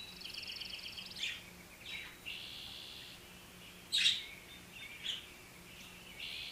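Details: Several budgerigars playing with each other chatter softly with buzzy, warbling phrases broken by a few sharp, bright chirps.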